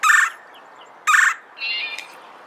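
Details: Two loud, rasping, buzzy notes about a second apart from a red-bellied woodpecker, then a softer, drawn-out rolling note.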